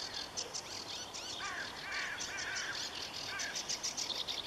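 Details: Marsh warbler singing in dense vegetation: a fast, varied stream of chattering notes, trills and buzzy phrases between mid and high pitch, with bright ticking elements and a steady background hiss.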